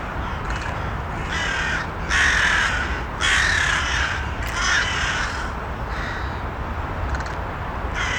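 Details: Several crows give rough, grating caws in an uneven series of four loud calls in the middle, with fainter caws trailing off, over constant background rushing noise.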